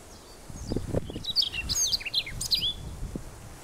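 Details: A male Siberian rubythroat (Calliope calliope) sings a quick, varied warble of high whistles, twangy slurs and scratchy notes on Teuri Island, Japan, on April 28, 2019, with low thumps and rustling underneath.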